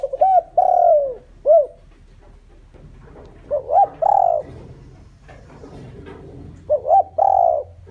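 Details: Decoy spotted dove cooing to bring in wild birds. Three phrases of quick double notes and a long downward coo, the first ending in a short arched note, with soft tapping noises between phrases.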